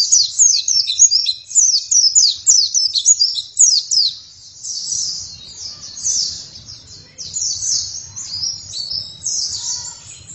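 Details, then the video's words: Oriental white-eye singing energetically, opening with a rapid series of high, sharply falling whistled notes, then running into a steady, high, thin twittering warble with a faint low rumble behind. "Pleci langsung gacor dalam 1 menit"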